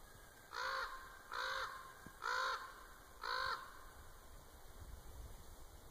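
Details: A common raven at Winlock, Washington, 10 March 2017, gives four harsh, hoarse calls, each under a second, about a second apart, over a quiet hum; recordist hopes it came to investigate their clicking, then flew off.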